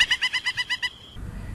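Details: Peruvian thick-knee (Burhinus superciliaris), near Lima, Peru, heard at night in the countryside, giving its laugh-like song: a rapid run of about eight ringing, nasal notes, roughly eight per second, ending in a brief held tone over faint low rumble.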